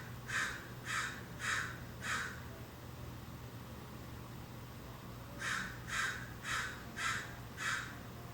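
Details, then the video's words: American crows in a California backyard, numerous and unafraid of people, calling both morning and evening, recorded from inside a house so rather quiet: harsh caws in a series of four, a pause, then five more, over a steady low hum. "เสียงกา อีกา ส่องนกธรรมชาติหลังบ้าน American Crow."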